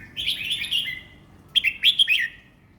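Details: Red-whiskered bulbul kept for song competitions, singing calmly: a warbled, slightly falling phrase, a short pause, then several sharp, bubbling whistled notes, over faint humming noise.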